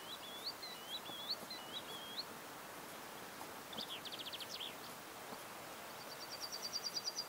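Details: Green sandpiper at the ponds of Buda Stalowska, Sandomierz Forest, Poland, giving a run of high, ringing whistled notes with upward flicks, then short bursts of quick, thin notes over a steady background hiss.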